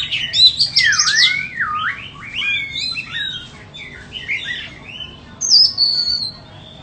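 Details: White-rumped shama for sale opens with loud looping whistles that swoop down and up in quick succession, then quieter twitters, and a final thin high whistle slowly falling.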